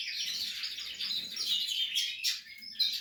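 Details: Portuguese harlequin canary at nesting time: short burst of continuous high, rolling warble and chatter with a few thin whistled notes.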